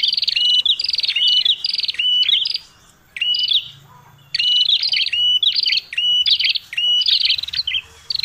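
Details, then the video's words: Prinia with a red head, calling as a lure for trapping birds: rattling buzzy notes linked to short level whistles, given in quick strings broken by a silent gap near three seconds. "suara prenjak tamu prenjak kepala merah ribut paling jitu buat pikat"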